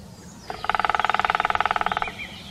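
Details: European green woodpecker, recorded in 2019: one rapid run of about twenty even, ringing notes of steady pitch, lasting about one and a half seconds, with faint background hum.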